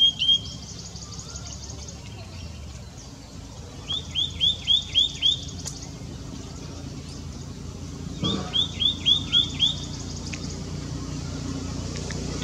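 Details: White-naped tit calling continuously: two bursts of five or six quick, rising whistled notes, about five per second, separated by pauses, with faint high chips from other birds and low background rumble.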